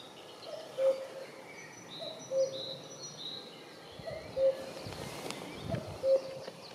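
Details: A common cuckoo (Cuculus canorus) gives its familiar two-note 'cu-coo' call, falling in pitch and repeated about every two seconds, with faint high chirps from other birds.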